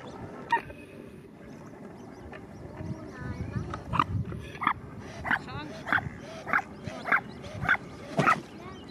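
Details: Eurasian coot chicks at Melm, Ludwigshafen am Rhein, give short, harsh peeps, about one every half second in a quick series, over a low background rumble and murmur.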